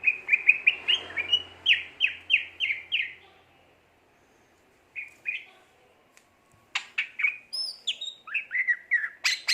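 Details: Greater green leafbird song: a quick series of about a dozen evenly repeated whistled notes, a silent gap with two brief notes, then varied chirping phrases with high sharp accents.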